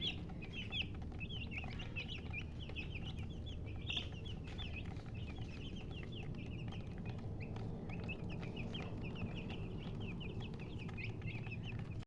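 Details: Chickens, called murgi hens, make rapid high chirps at about three to four per second, thin downward-sweeping peeps repeating steadily throughout over a constant low rumbling background hum.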